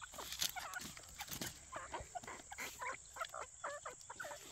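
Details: Grey partridge (Perdix perdix) call: a rapid run of harsh, creaky notes, several per second, over a steady background hiss.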